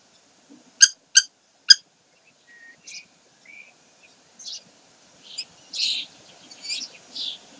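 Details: Common kestrels at Sägeweg on 12 May 2023: three sharp, high, ringing notes in quick succession, followed by softer, scattered chirps and short whistles from small birds.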